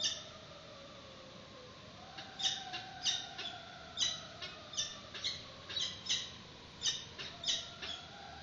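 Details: Peregrine falcon nest webcam, March 2019, first feed of the chick with a yellow bird as prey: after a quiet start come harsh, clipped notes repeated roughly twice a second, over a low, steady, gliding whine and hiss.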